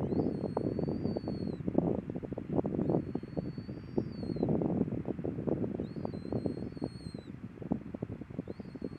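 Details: Caspian tern (Taranui), an adult with its juvenile at Waikanae estuary. Thin, high, drawn-out whistles of about 1.5 seconds, some slightly rising, come about every two to three seconds over heavy low rumbling wind noise.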